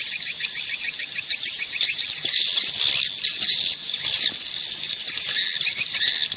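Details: Many swiftlets heard in the wild, a thick wash of shrill, rapid chirps and buzzy trills overlapping without break, swelling slightly mid-clip; nothing else stands out.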